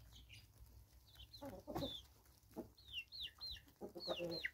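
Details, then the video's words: Free-range chickens in South Africa in 2024, giving short low clucks in bursts, mixed with bright high downward-slurred chirps of other small birds repeated through the recording. "Free Range Chickens"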